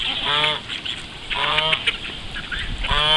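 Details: Call ducks going for a morning swim, uttering three loud, nasal, buzzy quacks spaced about a second apart, each harsh and slightly descending.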